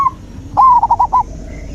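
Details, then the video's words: Brief zebra dove phrase from a natural therapy recording for a non-singing dove: a drawn-out opening coo followed quickly by four short, bouncing notes, with faint background noise. "Terapi alam perkutut macet mogok bunyi"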